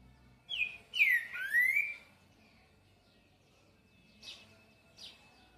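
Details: Green-winged saltator singing a song labelled boi: loud, clear whistled phrase of three slurred notes, one falling and one rising, followed by two short, faint high notes after a pause, with a quiet background.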